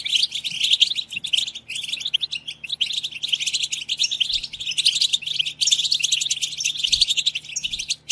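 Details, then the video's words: Several European goldfinches in a collective twittering chorus, played to urge goldfinches to sing; unbroken, busy high chatter of tinkling, rapid notes and short buzzes, swelling louder toward the middle and end. "اقوى بتبتة جماعية لتحفيز الحسون على التغريد"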